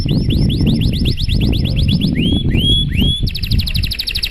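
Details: Canary song in a long, fancy style to prompt other canaries: quick repeated rising whistled notes, three slow upslurred whistles, then a fast high trill, over steady low noise.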